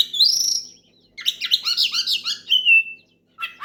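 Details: Loud oriental magpie-robin song meant to call a rival and set other magpie-robins singing: a sustained high whistle, a pause, then a fast chattering run of warbled notes ending in a long falling whistle, with a brief note after silence.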